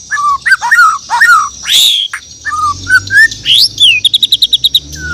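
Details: White-rumped shama from Borneo in loud morning song: rich varied whistles and slurs, a harsh high burst, then a rapid even trill of about eight notes, over a faint high hiss.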